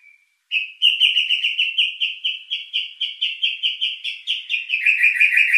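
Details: White-rumped shama lure song with rich fill meant to stir emotion and breeding drive: a short faint whistle, then a long series of rapid, evenly pulsed whistled notes on a steady pitch, roughly three per second.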